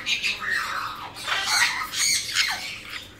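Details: Captive blue-winged macaws, a hand-raised young pair (one male, one female, born 2017), giving loud grating screeches in quick succession, some ending in a falling slur.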